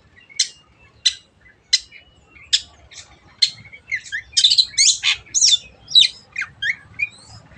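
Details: Long-tailed shrike in lively song, used to lure birds into singing: regularly spaced sharp ticks about every 0.7 seconds build into a dense, scratchy, varied chatter of buzzy and whistled notes.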